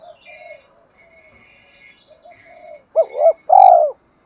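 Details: Low soft murmurs give way to a spotted dove's loud ending of a 'thổ'-style coo, used as a lure: a wavering double-humped note and a long rolling croo, while thin high birds whistle in the background.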